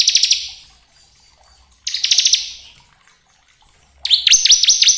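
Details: Bar-winged prinia (ciblek kristal) song, used as a lure to stimulate and provoke other birds into singing: two fast buzzy rattling bursts of rapid ticking notes, then a series of sharp down-up swooping whistles.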